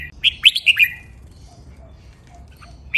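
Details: Single short phrase from a red-whiskered bulbul training song, clear and sweet, with four or five quick bright notes sliding up and down, then near silence.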